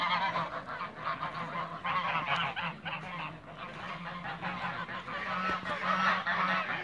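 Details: A backyard flock of Toulouse geese honks in uneven surges, with rasping nasal calls crowding together. Near the end, a few short, clearer honks repeat against a low hum.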